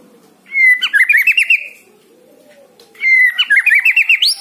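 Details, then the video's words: White-rumped shama song played to prompt a lazy bird to start singing: two loud phrases, each opening with a clear whistled note followed by a rapid run of bright, rising chipping notes, separated by a short pause. "Pancing murai batu anda yang Malas bunyi dan Pasti Segera gacor"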